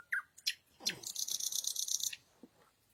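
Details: Short burst of nightingale night song: a few sharp notes followed by a rapid rattling trill lasting over a second, heard against a hissy background.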